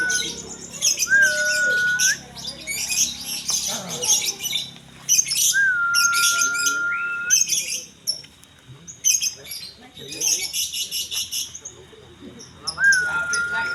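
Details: Gantang-style lovebird song recorded at KMB: repeated bursts of rapid, high, buzzy chatter and squawks separated by short pauses, with sustained flat whistled tones entering after small upward slides; faint voices behind.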